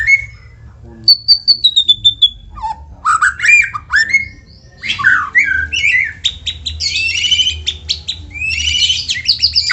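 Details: White-rumped shama, a cage bird, singing to prompt others to sing: a descending high whistle, then loud varied phrases of sweeping notes and dense rapid trills, with a faint low hum.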